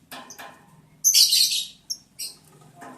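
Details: Lovebirds during mating, breeding season, day 11, July 11, 2022: a single long, piercing, buzzy screech of about half a second, then short sharp chips, over soft tapping and a low background hum.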